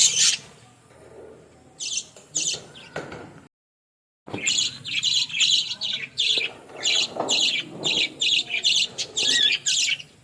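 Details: Australian parrots in a village give pulsed, high scratchy chirps in short regular bursts, about two per second. The calling follows a quieter start and a brief silent break.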